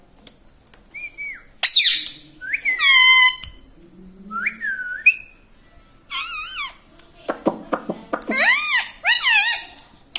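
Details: Pet parrot indoors, a talking bird taught to say "mummy" and "radhe radhe", giving a series of clear rising whistles and wavering, strongly harmonic squeaky phrases with short pauses between them.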